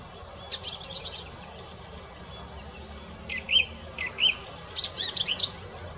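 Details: Singing song thrush: a rapid jumble of high twittering notes, then a short fluting phrase repeated three times and another quick twittery cluster.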